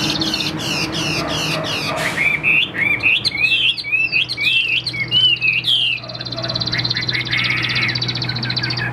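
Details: Caged Chinese hwamei: a burst of rapid harsh clicking opens, then a series of bright, twisting whistled notes for about four seconds, ending in a noisy buzzing rasp.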